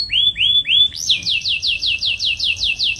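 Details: Dark carrot-coloured male songbird singing: three rising whistled notes, then a fast run of about ten repeated high descending slurred notes, clear and loud.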